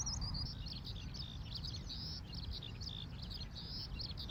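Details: Eurasian Skylark at an Ibaraki, Japan campsite, morning after a windy night, soft breeze: lively high-pitched song of quick chirps, slurs and short whistled notes pouring out without pause, over a soft low background rumble.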